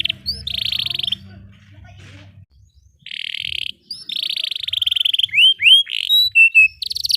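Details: Canary in emotional 'cuit cuit' rolling song: buzzy pulsed trills broken by a short pause, then a long roll followed by loud rising and falling whistled sweeps, with low background noise early on.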